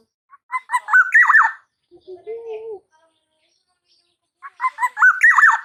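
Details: Juvenile black-naped oriole from Java learning the 'ploong' song, giving a stuttering run of rich, slurred notes, then a low smooth whistle, then another burst of choppy notes after a silent gap.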